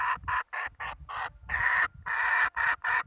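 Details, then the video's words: A hen gives loud, harsh, nasal clucks in an uneven series, some short and some drawn out, with brief gaps and faint low thumping beneath. "Tiếng gà mái"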